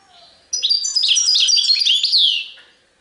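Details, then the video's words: Single two-second phrase of European goldfinch song, sarfati tiwawati style: tumbling high twitters and ringing notes that end in a sweeping slurred whistle. "تغريد حسون سرفاتي تيواواطي"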